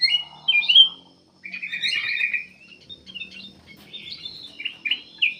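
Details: Black-capped bulbul in full song, a recording meant to lure other birds into singing. Bright slurred whistles and a buzzy trill open it, then jumbled chirps follow after a short pause.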